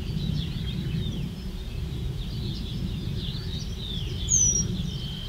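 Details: Eurasian penduline tit calling: thin, high, drawn-out whistles sliding downward, several faint ones scattered through, then one louder, clearer descending whistle near the end, over steady low rumbling background noise.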